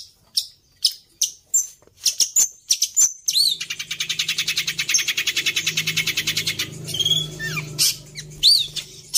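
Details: Long-tailed shrike singing with fills copied from other birds: sharp high chips, then a fast buzzy rattle of rapid pulses for about three seconds, followed by clear whistled rising and falling notes; low hum beneath.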